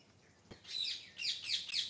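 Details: Wild bird singing in the morning: a soft click, then bright high chirps in quick descending phrases, repeated about four times in under two seconds over a quiet background.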